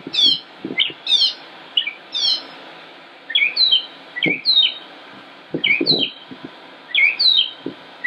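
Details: In Concord, North Carolina, on 25 May 2016, a male northern mockingbird sings high, buzzy downslurred notes repeated in threes, then shifts to other chirped phrases repeated a few times each; occasional low knocks in the background.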